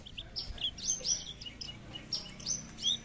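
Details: Caged Horsfield's bushlark of the aliena type, whose voice has no bass, singing once the cage is hung: thin high chirps and short whistled slurs in quick clusters, over low background hum.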